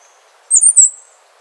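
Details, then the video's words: A single brief, very high, thin phrase of a few slurred notes from a Wrenthrush, a species resident in Panama and Costa Rica, in near silence. "O canto do Pula Pula de Rabo curto ( Zeledonia Coronata )"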